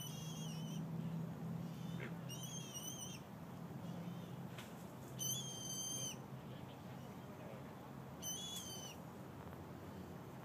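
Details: Common moorhen chicks with their mother at Lake Carillon, Saint Petersburg, Florida, give thin, high, squeaky peeps in short bursts every two to three seconds, over a steady low rumble of background noise.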